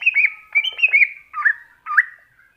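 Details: Greater green leafbird, masteran recording, singing a fast run of sweet slurred whistles and chirps in five close phrases, with no other sounds.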